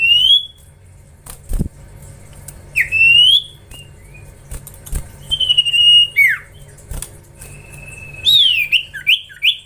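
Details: Young common iora being trained, calling in bursts: scattered rising whistles and sharp swooping squawks with pauses between, a few dull knocks, and a steady low hum throughout.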